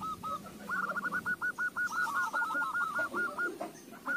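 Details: Zebra dove song meant to prompt other doves into singing: a steady string of short, hooked coos repeated quickly over a noisy, hissing background.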